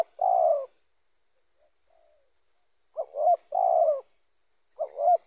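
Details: Mellow spotted dove coos, recorded as a lure for other doves. A long drawn-out note, a pause with a faint soft sound, then two phrases of a short double coo followed by a sustained note.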